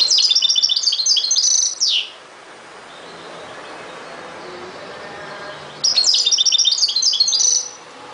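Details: European goldfinch performing ghoroub-style song: a quick jumble of high, bright twittering notes ending in a falling buzz, a pause of nearly four seconds, then a second rapid twittered phrase.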